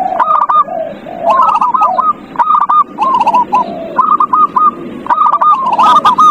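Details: Zebra dove song used to stimulate a quiet bird: repeated phrases of quick, bright cooing notes, each phrase opening with lower slurred coos, running nearly continuously with faint clicks in the background.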